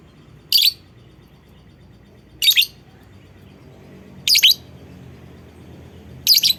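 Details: Lovebird call used as a lure to prompt other lovebirds to sing along: four shrill, harsh chirping bursts, each about a quarter second long, spaced roughly two seconds apart over a quiet low hum.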